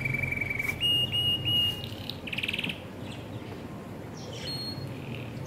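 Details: Budgerigars (Melopsittacus undulatus) in courtship mode give a run of clear, steady whistles that step up in pitch, then a buzzy rasping burst and softer scattered chirps, over a low background hum.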